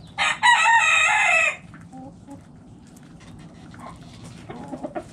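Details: A backyard rooster crows by the feeding coop, a loud, raspy, sustained cry of over a second, followed by soft hen clucks and low murmuring clucks near the end.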